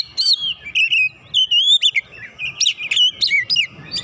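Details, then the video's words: Provoked by a rival, a White-rumped shama pours out a fast medley of bright whistled notes, upward flicks and rippling trills, with faint low background rumble. "KACER LAWAN LANGSUNG PANAS NAIK EMOSI BONGKAR ISIAN SEKALI PANCING"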